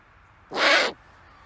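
A great horned owl gives one harsh, raspy screech lasting about half a second, broad and hissing rather than a low hoot; nothing else is heard.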